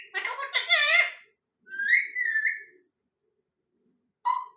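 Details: Parrot giving a rapid run of wavering, speech-like chattering notes, then a longer rising-and-falling whistle and a brief clipped note at the end.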